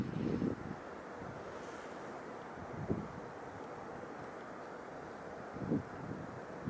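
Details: Low rumbling wind and distant engine noise fill the recording, with a few soft thumps and no clear animal calls.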